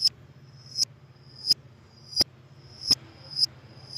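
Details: Piercing thin chirps of a lovebird, each ending in a sharp click, repeated roughly every 0.7 seconds over a low hum. The calls are used as lure sounds to attract lovebirds.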